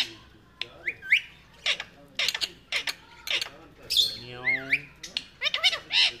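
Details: Pet talking ringneck parrot, described as friendly, giving harsh harmonic squawks and speech-like warbled phrases in short bursts, with a longer mimicked phrase that slides up and down near the middle and sharp clicks between calls.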